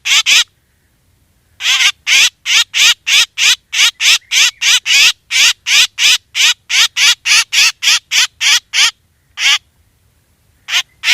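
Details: Long run of grating, buzzy black drongo calls for luring birds when hunting: two notes, a brief pause, then a fast steady chain of about thirty squawks before a short gap and a few more.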